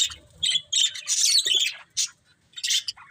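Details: Short burst of budgie chirping: squeaky, buzzy warbled notes, a pause, then a couple of brief scratchy chirps.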